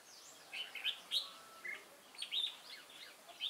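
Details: Recorded 22 October 2018, a wild-caught red-whiskered bulbul with a lân-type crest gives short, sharp whistled chirps and slurred notes in quick clusters over a steady background hiss.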